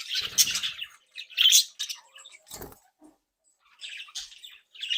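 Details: Captive budgerigar chicks and adults from a home breeding group interacting playfully: bursts of squawking chatter separated by short silences, with a dull tap in the middle.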